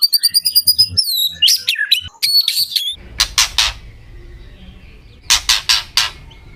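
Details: White-rumped shama singing as a provocation for other shamas: a quick burst of high repeated notes and sweeping whistles, then harsh, raspy bursts in groups of three separated by quieter gaps.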